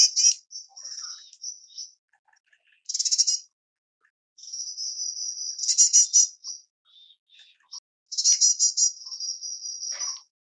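White-bellied erpornis giving very high, thin calls: drawn-out level buzzy notes broken by quick rattling bursts, in several phrases with quiet gaps between.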